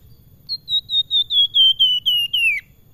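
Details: Salakan in full song with sweet, flute-like whistling: around nine loud, clear notes repeated quickly, each a little lower than the one before, the final note sweeping down, against a quiet background.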